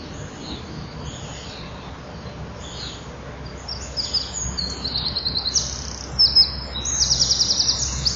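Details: Common kingfisher nest recorded in July 2013, where a young bird is present. Dim background gives way to loud, high, rasping pulsed bursts that repeat and grow stronger over the last four seconds.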